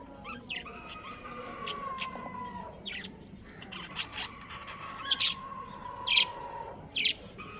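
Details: Breeding pair of budgerigars kept as pets: sharp, short high chirps in irregular bursts, some doubled, over a long drawn-out crowing tone in the background.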